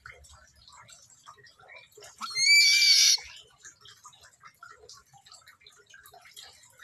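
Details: Buffy fish owl (Ketupa ketupu) gives one harsh, wheezy screech lasting about a second, slightly rising, with faint background rustling around it.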